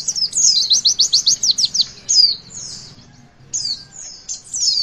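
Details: Javan white-eye song used to get young birds singing: a fast series of roughly eleven sharp high downslurred whistles in the first two seconds, a quiet gap, then scattered thin high slurred notes.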